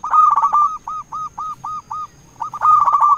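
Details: Local zebra dove cooing as a lure for rival birds. A loud rolling trill, then six evenly spaced short hooked coos, then another loud rolling trill.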